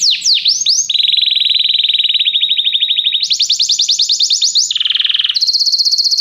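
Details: Canary song for training a canary to sing: a few swooping notes, a steady mid trill, a higher rolling trill, a lower harsh buzzy burst, and a final high trill, each section changing abruptly.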